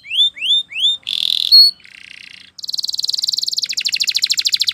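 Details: Spanish Timbrado canary training song: a sequence of rising whistled notes repeated three times, then a buzzy burst, a soft low trill, and a long rapid metallic rattle that shifts to a slightly slower pulsed trill.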